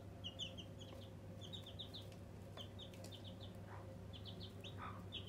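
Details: Several newborn chicks kept as pets cheep continuously in short, high, down-slurred notes, over a steady low hum.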